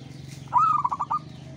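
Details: Local-type zebra dove singing a single phrase: a bright rolling coo that breaks into a quick run of four or five short, even notes, over a low steady hum.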